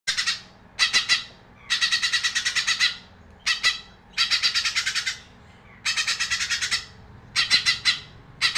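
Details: Magpie robin singing in loud bursts of rapid, harsh, scratchy notes, each burst about a second long and separated by short pauses, high-pitched and chattering throughout.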